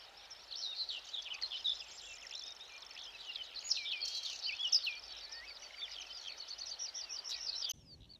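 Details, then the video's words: Whinchat singing from meadows by the Vistula near Przegalina/Błotnik on 20 June in morning sun, a rapid scratchy run of high warbles and chirps that mixes in goldfinch, black redstart and Eurasian curlew phrases, for about seven seconds. "pokląskwa to jest taki ptak który śpiewa zawsze w Łąkach"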